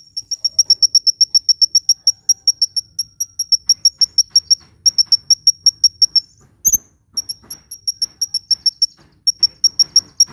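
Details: Hummingbird song, offered for luring birds and prompting quiet birds to sing: rapid, evenly spaced high pure-toned pips, about three a second, in long runs with brief pauses and one short break midway; faint low rumble behind.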